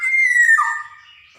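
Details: Lively Javan black-naped oriole, a lure recording for stimulating young orioles: one loud, strained, nasal cat-like call, steady then dipping lower and fading over about a second.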